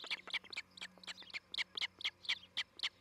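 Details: Osprey at a nest near Charlo, Montana, on 11 July 2018, watched by a nest camera. It gives a steady run of sharp, high chirps, about two per second, with a low steady hum underneath.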